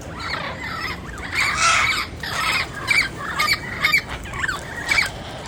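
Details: Wild turquoise-fronted amazons give loud grating squawks in irregular bursts, a strong screech near the start, then shorter harsh calls spaced about half a second apart over soft outdoor background noise.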